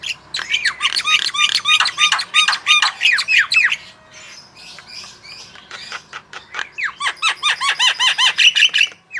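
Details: Javan myna song used as a prompt for other birds to sing: loud, harsh squawking notes in rapid repeated bursts, about three per second, with a quieter gap mid-way before the chattering resumes.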